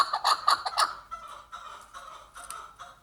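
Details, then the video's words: Chukar partridge in Kyrgyzstan giving a run of rapid, harsh clucking notes, about three per second, then softer repeated chuck calls. "Кеклик КОРОЗ"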